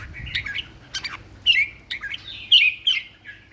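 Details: Red-whiskered bulbul kept for song competitions, caged, giving short clear whistled notes and slurred phrases, some falling sharply in pitch, spaced about half a second apart, with faint low background noise at the start.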